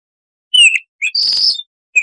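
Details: Brief burst from a Baltimore oriole in 'tembakan' style: one clear whistle sliding downward, a short note, a rasping buzzy note, then another whistle starting.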